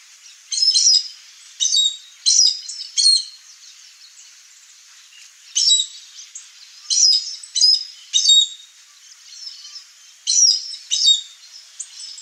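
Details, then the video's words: Wild chestnut-eared aracari calling from a rural backyard in the Cerrado of Brazil: irregular clusters of sharp, squeaky, high-pitched notes, often in quick pairs or fours, with short gaps between groups. "O Canto do Araçari castanho"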